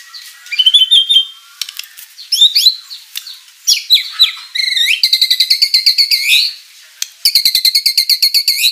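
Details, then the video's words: Murai batu, or white-rumped shama, singing energetically with rich fill-in phrases, meant to provoke rivals into answering: assorted whistles and chips, then two bursts of fast, evenly repeated high pulsing notes. "MURAI BATU GACOR full isian materi mewah"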